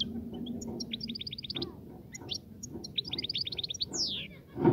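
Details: European goldfinch singing to stimulate a female to mate and nest: bursts of rapid, repeated high twittering notes in short trills, with a descending slurred note near the end, over a low steady background hum.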